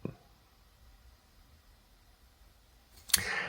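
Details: Near silence framed by a click at the start and a louder burst of clicking noise near the end, with no animal sounds.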